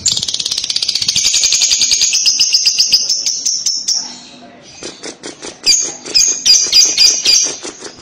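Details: Lovebird chatter ('kekek') used as a lure to make young lovebirds answer and sing. A dense, buzzy, rapidly pulsed trill runs for four seconds and slowly falls, then harsh clipped squawks follow in quick bursts.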